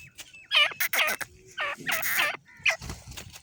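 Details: Female grey francolin (Ortygornis pondicerianus) calling: harsh, raspy, chattering notes in about five quick bursts over a few seconds, loud and close.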